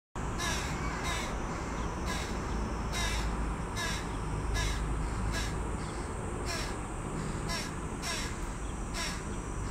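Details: A juvenile carrion crow, as big as its parents, begs a parent for food with harsh, nasal caws repeated roughly every half second to second, over a steady low rumble.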